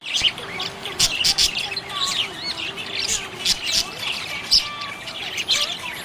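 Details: Budgerigar in a happy mood chattering continuously, mixing bright squeaky chirps, rising and falling warbled notes and sharp clicks at an irregular pace, with a faint low hum in the background.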